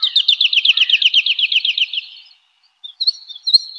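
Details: A woodlark sings in spring forest, a steady rolling trill of high repeated notes for two seconds, a silent gap, then a few short sharp notes.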